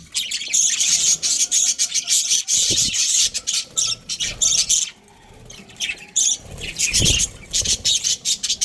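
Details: Australian budgerigars, a breeding pair, chirping: dense bursts of buzzy, scratchy high chatter with brief pauses, and soft low thumps near the middle and end.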